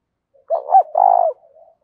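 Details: Decoy spotted dove with a thổ đồng voice, used to stir wild doves into cooing. It gives one low coo phrase: a short double-lobed note, then a longer, rolling, sustained coo that slurs downward at the end, with faint soft notes around it.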